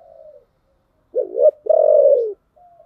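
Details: Decoy spotted dove with a deep, thick 'thổ' voice, used to draw in wild doves. Gives a quick wavering note followed by a long, drawn-out, even coo, with faint softer cooing before and after.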